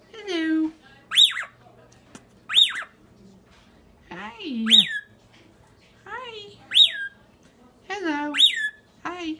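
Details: Captive rainbow lorikeet kept as a class pet, squawking constantly for attention: sharp, high, harsh squawks repeated every second or two, mixed with lower harmonic, sweeping voice-like sounds and a person talking indoors.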